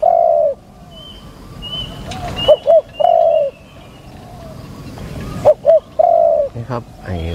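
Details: A contest-trained captive spotted dove gives low, hoarse coos in short phrases, a drawn-out note then quick clipped notes, repeated every few seconds; faint high chirps from other birds.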